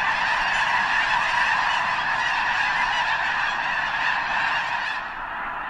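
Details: Huge Snow Goose flock near the eastern end of Potholes Reservoir, likely before heading north to the arctic tundra to breed; intense overlapping honking chorus that fades slightly in the final second.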